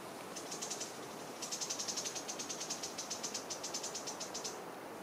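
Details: Long-billed starthroat (Heliomaster longirostris) singing in Boquete, Panama, in December/January, when many hummingbirds sing: thin, very high squeaky notes repeated quickly, about five a second, in a steady run over soft background hiss; Isthmian wrens are often louder.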